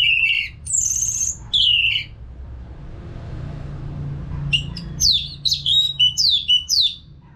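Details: Orange-headed thrush singing nonstop as training sound for caged birds: long clear whistles at varied pitches, a quiet interval, then a fast series of falling, slurred whistled notes repeated five or six times.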